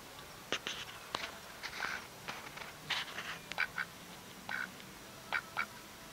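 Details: Duck quacking in short, harsh, nasal bursts, single and paired, spaced irregularly over about six seconds against a faint steady background hiss.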